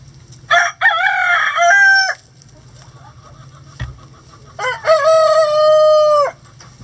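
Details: Rooster crowing in a chicken coop on a sunny day at a chicken sanctuary: two loud, harmonically rich crows, each about one and a half seconds long with a held, slightly falling final note, separated by a quiet pause with a low background hum.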